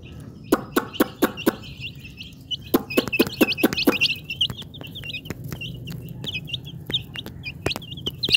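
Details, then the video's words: Chickens' chicks running about, giving rapid high thin peeps in quick squiggly bursts, mostly in the second half, over a first half of sharp knocking clicks and a low background hum. "Hen Chicks Runing Short Clip"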